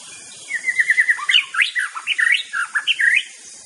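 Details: Active singing from a white-rumped shama: a fast chattering run of short repeated notes, then jumbled, varied slurred whistles rising and dipping, all over a background hiss.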